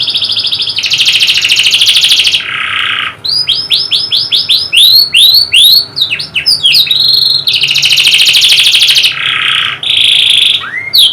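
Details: Powerful canary song aimed at reviving a canary that has stopped singing. Long buzzy rolls and a lower rattle alternate with rapid chains of sweeping chirps, then more trills and a final rising whistle.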